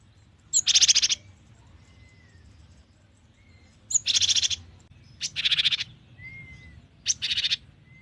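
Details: Rasping, buzzy churring bursts from a Cinereous tit, four in eight seconds at uneven intervals, with soft drawn-out whistles from another bird heard in the pauses.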